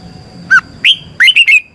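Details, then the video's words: Red-whiskered bulbul training song for a caged bird: a low whistled note, then a rising slurred whistle, then three quick clear whistles ending on a level tone. "luyện giọng chào mào hót hay, Giọng xoắn tít -KÍCH CHIM CĂNG LỬA, Luyện chào mào hót sáng"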